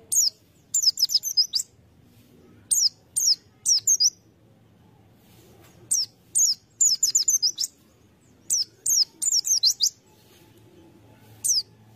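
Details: Short clusters of high, thin, falling chirps from a white-eye used to lure other birds, the groups spaced a second or two apart over a quiet background.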